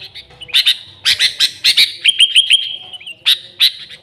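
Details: Lively song of a sooty-headed bulbul, recorded for luring the species. Chirp bursts lead into a long, level whistle broken by quick stutters, then two more bright notes.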